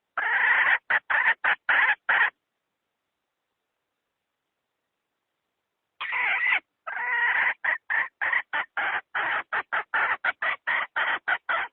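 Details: Lure call of a hen for trapping wild chickens, 2020: rapid runs of sharp, raspy clucks, several per second, broken by a long silence, then resuming faster and more densely.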